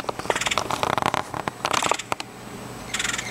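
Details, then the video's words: A red-headed woodpecker in Virginia gives harsh, broadband churring calls in quick bursts, with a steady faint hum behind. "RED-HEADED WOODPECKER AND ITS CALL"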